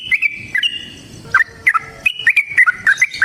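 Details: Chattering yellow-vented bulbul fighting song meant to provoke a reply: sharp whistled notes broken by short gaps, then a quicker run of bright, rising and falling chirps.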